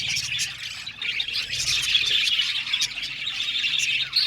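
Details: Colony of budgerigars in an aviary chirping together: a dense, continuous stream of bright, high, overlapping tweets and short squawks, with no pauses across the clip.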